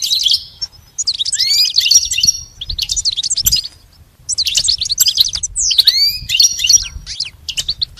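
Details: Song-training recording of a goldfinch: tinkling, high chirped phrases with rising swept whistles and buzzy trills, broken by a clear pause mid-way, faint low hum beneath.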